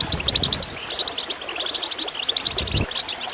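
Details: Goldfinch song for encouraging birds to sing, made of strings of bright, ringing chirps and short trills, with bubbling water and a few low thuds underneath.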